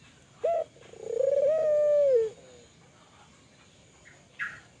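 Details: Spotted dove of Kelantan type used as a call lure for other doves. A short note is followed by a long rolling coo ending in a drop; a lone high chirp sounds near the end.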